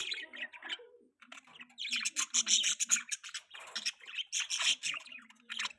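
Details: Pet budgerigar chirping while mating: busy, scratchy warbled chatter with rapid buzzy and chirped notes in dense bursts, a short pause near the one-second mark, then continuous twittering.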